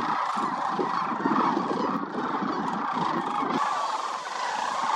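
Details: Migratory sandhill cranes at the Willcox Playa Wildlife Area in winter, where more than 20,000 congregate. A thick chorus of rattling, trumpeting calls continues throughout, and a low rumble fades after about three and a half seconds.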